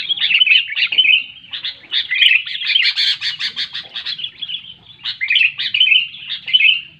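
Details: Sooty-headed bulbul singing loudly, played to get reluctant bulbuls singing: lively gurgling phrases, a burst of fast rhythmic notes near the middle, a short pause, then renewed chattering warbles.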